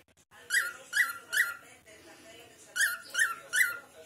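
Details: Indoor cockatiel sounds while talking to a friend: sharp repeated squawking chirps in two groups of three, each group spaced under half a second apart, with soft background voices.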